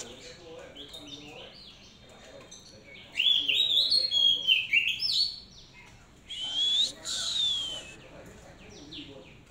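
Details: Song of a hand-raised Oriental magpie-robin: faint chatter, then loud bursts of quick, varied whistles and slurred notes, a pause, and another sweet descending phrase, with soft background noise throughout.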